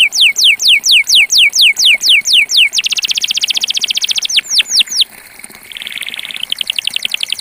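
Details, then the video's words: A purebred Belgian campainha canary sings bright, quick descending whistled sweeps about four per second, then a dense buzzy trill, more sweeps, and a lower rolling trill. "Canario belga campainha puro // canary singing"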